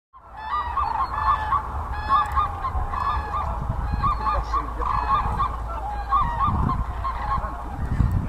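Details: A flock of common cranes at Lake Hornborga, Sweden, gives loud, rolling trumpeting calls that overlap without pause, over a steady low rumble of wind.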